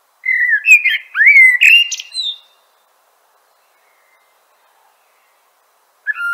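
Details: Common blackbird song: a rich, fluting whistled phrase near two kilohertz, sliding and warbling, ending in higher squeaky twitters, then a long silence before the next phrase begins.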